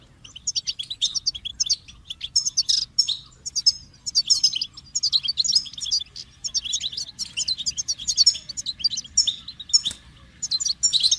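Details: Long stretch of goldfinch song: lively high-pitched twittering phrases packed with clipped chirps, tinkling notes and short rattles, repeated almost without a break, with a faint steady hum below.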